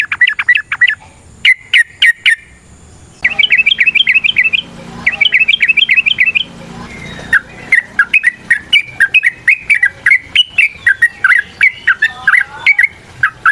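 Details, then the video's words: Yellow-vented bulbul in a long, lively fighting song used as a lure to provoke other bulbuls to answer. Bubbly whistled phrases repeat in quick bursts of three or four notes, pausing briefly, then flow in a steady chattering run. "TRUCUKAN GACOR TARUNG ROPEL PANJANG"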